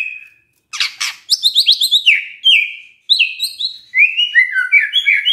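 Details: White-rumped shama singing in the morning to stir a silent shama into song: after two loud harsh bursts, fast chains of high, slurred whistles and trills follow in several quick phrases.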